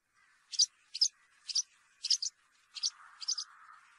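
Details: European serin in field-style song: six short, sharp, high chirps at roughly half-second intervals over a low, faint background hiss.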